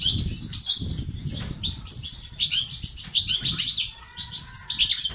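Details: Goldfinch song of the 'bitbita' and 'sts' kind, used to rouse males to sing: rapid, metallic, twittering notes in uneven bursts, a brief lower whistled tone near four seconds, low background rumbling.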